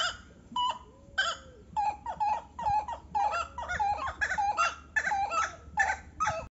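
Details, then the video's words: Buff-necked ibis calls, probably from a pair: a few spaced nasal notes, then a quickening series of loud, harsh, harmonic honks that overlap and build into a steady chattering duet. "Canto da ave Maçarico (Tapicuru)"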